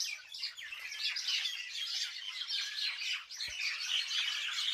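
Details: Village birds in a busy chorus, many overlapping high chirps and short twittering phrases running without pause, with a soft knock near the end.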